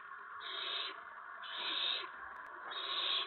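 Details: Owl at the nest on an April 2017 evening while the parents bring food to the owlets; three drawn-out, hoarse hissing calls, spaced about one and a half seconds apart, over constant low hiss.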